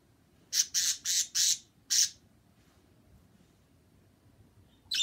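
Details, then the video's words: Pet birds chirping loudly indoors: five harsh, broad squawks in quick succession over about a second and a half, then near silence, with another abrupt squawk breaking in at the very end. "Rebecca and Maria chirping"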